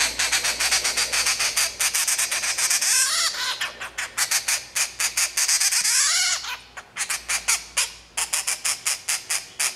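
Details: A hand-reared grey treepie chick about two months old gives harsh, rasping squawks while being hand-fed, in fast repeated bursts, several each second, with brief pauses between runs.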